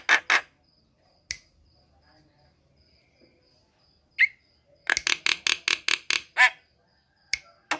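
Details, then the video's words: Javan myna song used to encourage silent mynas to sing: long quiet spells with isolated sharp notes, then a burst of about eight harsh rasping chattering notes in quick succession, and a couple of final clicks. "pancingan jalak kebo"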